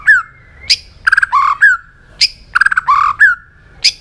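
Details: Competitive singing from a white-rumped shama: a repeated phrase of a down-slurred whistle, a sharp high upswept note, a quick stuttered burst and a lower rolling note, given twice with emphatic high accents.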